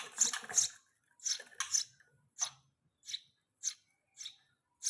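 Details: Eurasian tree sparrow nestling being hand-fed, begging with harsh, high, scratchy chirps in short bursts, about nine bursts over five seconds, some bursts doubled, with faint low handling noises early on.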